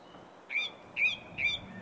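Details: Song thrush, a single bird singing in a garden in April 2021: three similar short bright whistled notes, each with a sharp upper overtone, repeated about every half second over quiet background hiss.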